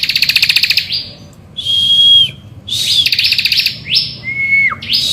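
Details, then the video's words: A lively bar-winged prinia's morning song, played to lure other birds into singing. A pulsing buzzy trill gives way to a long pure whistle, more buzzing, then a level lower whistle that drops sharply at its end. "Pancingan Ciblek Gacor Di Pagi Hari"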